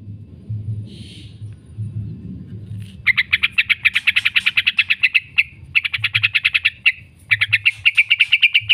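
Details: Yellow-vented bulbul delivering a long ngekek chatter as a lure for other birds: about three seconds of low hum, then three fast runs of harsh, rattling notes with brief gaps between them.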